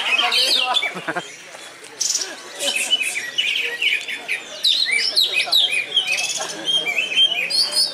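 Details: A yellow-headed greater green leafbird at a bird-singing contest, where it took second place, pours out a fast, unbroken run of bright, varied whistles, chirps and trills, with voices and clapping faintly behind.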